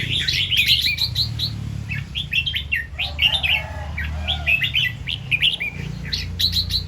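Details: Red-whiskered bulbul in morning song, styled as doubled 2-3 and 'rik' singing: continuous chattering run of sweet whistled notes in quick succession over a low background hum.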